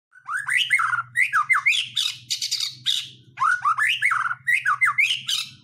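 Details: White-rumped shama, a song used to provoke other birds into singing; rich, loud bursts of swooping whistles and harsh chattering notes in quick phrases separated by short pauses, with a faint low hum underneath.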